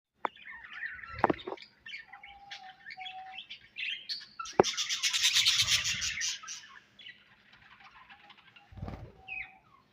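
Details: Budgerigars chirping: scattered short chirps and a few steady whistled notes, then a loud raspy, buzzy burst of chatter lasting about two seconds, followed by quieter chirps and a final sharp note.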